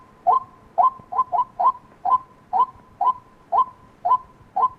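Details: Repeated calls of a white-breasted waterhen, clipped notes about two per second, some pairs coming closer together, with a thin steady tone underneath.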